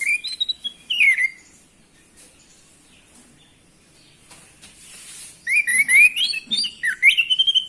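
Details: Orange-headed thrush song played to stimulate males into singing: loud, clear whistled phrases, rising and falling and sliding between notes, with a quiet pause mid-way before a rich, varied burst of whistles resumes.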